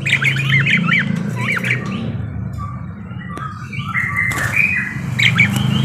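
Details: Parakeet singing eagerly, opening with a fast chattering warble of looping chirps, then scattered whistled notes and squeaks over a constant low hum.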